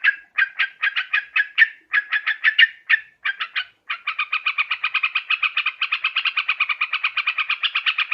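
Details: Yellow-vented bulbul sound used as a lure for catching birds: rapid bursts of harsh, buzzy chattering notes in short groups, then a long unbroken run of fast, evenly repeated notes.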